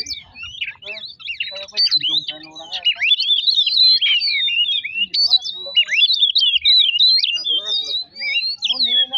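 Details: Oriental magpie-robin lure song for provoking other birds to sing: busy, varied whistling with rapid sharp slurs and chatter, mixed with some lower harsh harmonic calls.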